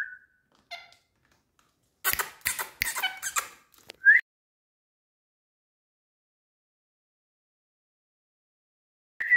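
An Indian parrot gives short squeaky whistles, then a rapid burst of harsh, speech-like chatter about a second and a half long, ending in a sharp rising squeak.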